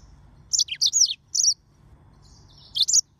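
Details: Yellow-fronted canary (Mozambique serin) singing: bright, high twittering bursts, four quick chirpy phrases within the first second, then a thin drawn-out whistle sliding into a final trilled flourish, against a quiet background.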